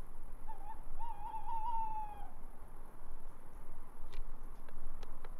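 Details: A tawny owl calling from a roof in the dark gives one long, quavering hoot lasting about two seconds, wavering in pitch. A few faint clicks follow over a low background hum.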